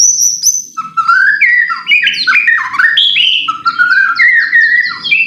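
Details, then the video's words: White-rumped shama song meant to stir another bird into song: high whistled opening, then rising slurred whistles and a series of repeated short chirped notes, continuous and loud. "pancingan murai batu AGAR BUNYI jitu untuk JADIKAN murai batu GACOR EMOSI"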